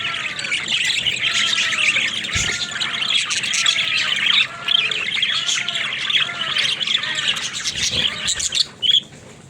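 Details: Budgerigar chatter fills the recording: a constant, high buzzy warble with repeated short arching whistles about twice a second, ending in a sharper rising squeak.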